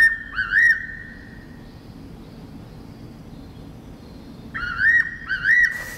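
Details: Fairy pitta, a protected natural monument, heard as a bird-call recording played through a small speaker: two clear whistled phrases, each with a quick upward flick, about three seconds apart, described as strange and somewhat crow-like.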